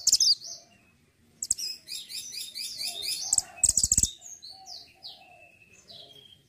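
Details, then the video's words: Mantenan gunung in full song, used as a master bird for tutoring other songbirds: rapid high chirps and dense twittering runs of bright notes, broken by sharp clicks, tailing off into softer scattered whistles. "BURUNG MANTENAN GUNUNG GACOR ,BURUNG MASTERAN YANG SANGAT MANTAP UNTUK MASTERAN BURUNG KICAUAN"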